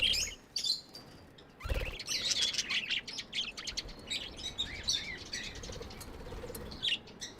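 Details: Busy twittering from pet budgerigars: rapid high chirps and warbled squeaks run on almost nonstop, interrupted once early by a short dull thud.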